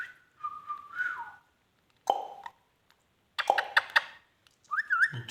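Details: A pet talking Indian ringneck parakeet gives four short bursts of whistled, warbling notes around one to two kilohertz, some sliding and some clipped, with brief pauses between.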